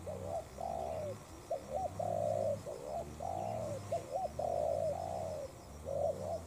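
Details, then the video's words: Spotted dove decoy fighting a wild bird: loud raspy cooing, quick double notes and long drawn coos alternating about every second, likely two birds answering each other. "Mồi Cụt Đuôi DNa Quyết chiến Bổi Đồng Sấm - 1 con bổi Chất lượng."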